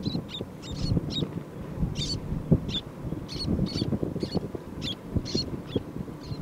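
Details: Lesser Sand Plover on Tokyo Bay gives short, high chirping notes, about two per second, over a steady low rumble of wind or surf.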